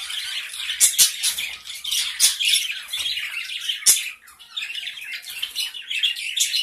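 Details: Gray Java sparrows in a small captive colony keep up busy high-pitched chirping and squeaky twitters, many voices overlapping, with a few loud clicks and a brief lull near the end.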